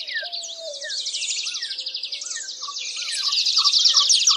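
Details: Adelaide's warbler songs in a mixed dawn chorus of several bird species: a long, unbroken run of quick buzzy trills, accompanied by short arched whistles and a low steady note from other singers.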